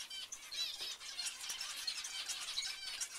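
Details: Several zebra finches calling together: rapid, overlapping nasal toots and beeps with a slightly squeaky edge, forming a continuous busy chatter.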